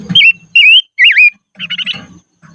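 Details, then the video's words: Silver-eared mesia kept as a decoy, singing in the highlands: three ringing whistled slurs, the last dipping deeply, followed by a rougher burst of chattering notes over low rustling background noise. "Chim Ngũ Sắc Mồi Hót Trên Vùng Cao Toj Siab Suab Noog Tsheeb Quaj"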